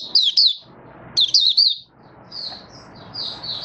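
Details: Malaysian oriental white-eye, hobby bird not in form, gives two brisk bursts of high, sweet, downslurred twitters, followed by softer drawn-out high warbled notes over a steady low background hiss.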